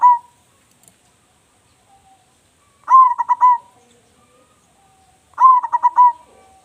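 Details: Loud-voiced local zebra dove in active song, kept as a lure: the tail of one phrase, then two full phrases of a swelling first coo and a run of rapid, evenly pulsed soft coos.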